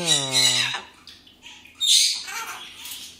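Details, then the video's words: Pet Blue-and-yellow macaw, one of two, letting out a rough, hoarse squawk after a short stretch of human Czech speech, followed by a quieter grating note; a person keeps talking to the birds nearby. "Ara ararauna"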